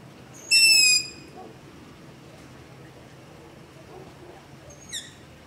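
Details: Begging call of a long-eared owl in darkness close to a house, ZOOM H5 and LOM Usi Pro recording: one loud, high, squeaky screech lasting half a second, then a much fainter echo-like call a few seconds later.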